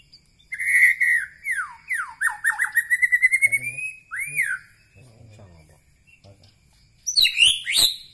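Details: White-rumped shama from Medan Bahorok singing a loud, varied song of clear whistled notes, with fast sweeping slurs and a quick run of repeated notes, then a brief burst of high, sharp chirps near the end.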